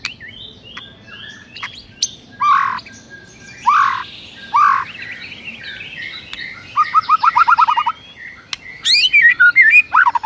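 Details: White-rumped shama song used as a morning training recording to provoke rival birds: scattered whistled notes and slurred phrases, then a rapid run of repeated downward notes near the seven-second mark and sharp chirps toward the end, over faint background hum.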